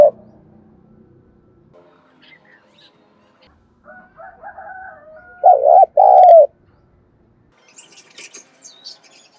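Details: Spotted dove kept as a decoy to make other doves sing, one loud two-part wavering coo in the middle, surrounded by faint chattering and higher chirps from other birds.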